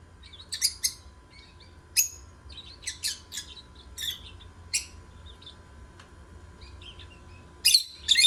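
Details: Lovebird song: frequent high, harsh chirps and short squeaky notes scattered unevenly, with a loud double burst at the end, over a faint low background hum.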